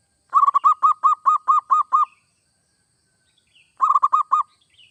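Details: Zebra dove singing persistently, a song meant to stimulate other doves to sing: a quick run of eight mellow, staccato coos at an even pitch, a pause, then four more, in a quiet setting.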